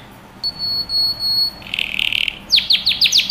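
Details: Aroused male canary courting a female for mating, delivering a sustained pure whistle, then a buzzy rattling tour, followed by a series of sharp, rapidly repeated chirping notes.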